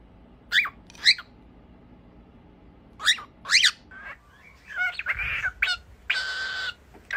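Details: Pairs of sharp, sweeping calls from cockatiels in happy song, spaced by silent gaps, followed by a muddled stretch of chattering and rough, noisy sounds.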